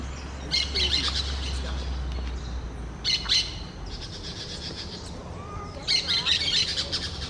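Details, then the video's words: Orange-chinned parakeet giving three bursts of high, squeaky chirping chatter, near the start, at three seconds and near the end, over a steady low rumble. "sonidos y cantos de PERICOS VERDES barbinaranjas"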